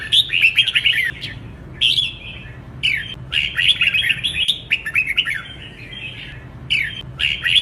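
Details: Red-whiskered bulbul used as a training song for singing contests, in the contest 'hót đấu' style: bright, warbling, slurred whistled phrases in quick bursts, pausing briefly between about six or seven phrases, with faint low background hum.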